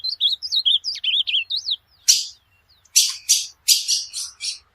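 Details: Ultramarine grosbeak song meant for teaching a pet bird: a quick string of sweet, curling whistled notes, followed by a sharp buzzy note and several harsh, noisy chirps.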